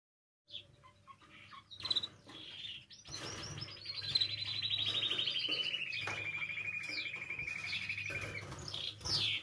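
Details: Singing canary used to encourage canaries to sing: a few chirps, then a sustained rapid trill gliding gradually downward, ending in bright whistles over a low hum.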